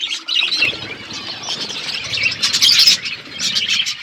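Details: Feeding parrot on February 25, 2024, with a constant overlapping chatter of bright, high chirps and tweets that swells into a louder flurry halfway through.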